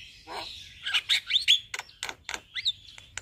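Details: Javan myna singing by day in front of a house, giving a short burst of squeaky whistled notes followed by spaced sharp clicks and chips, with faint low background hum.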